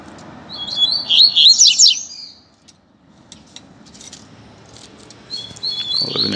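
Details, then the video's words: Free-flying Double-collared seedeater singing on a street, a tutor song for young birds to learn: a rapid, high twittering phrase of about two seconds, a pause, then another phrase begins near the end, with low background hum. "COLEIRO SOLTO NEM SABE PRA ONDE VAI!!! Dando Show na Rua!!! - Coleiro Professor Aprendizado"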